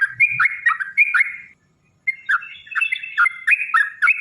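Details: Lure song of a yellow-vented bulbul meant to set other bulbuls singing: quick, gurgling whistled notes, a brief silent break midway, then the chattering phrases resume at a fast pace.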